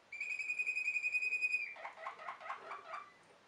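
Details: Waterslager canary, also called Malinois canary, singing: a long steady whistled note with bright overtones for about a second and a half, then a quick run of repeated bubbling, water-like notes.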